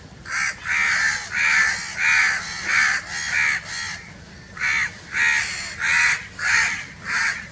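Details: Very loud crow calls: about eleven harsh, hoarse caws delivered in a fairly steady series of roughly two per second, with one longer pause midway.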